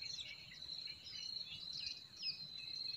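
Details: Several forest birds sing in spring, overlapping quick twittering phrases and rising and falling whistles over a continuous shrill buzzing tone.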